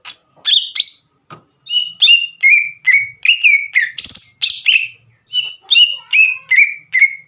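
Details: Green leafbird in energetic song meant to provoke a rival: varied rapid whistles and chirps, some rising and some falling, with one brief harsh rasp midway and a steady run of slurred notes to the end.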